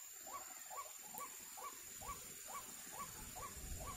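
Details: White-breasted waterhen (wak-wak) near a trap: a clear series of nine hooked, croaky mid-pitched calls over four seconds, evenly paced, with a brief click and low rumble later.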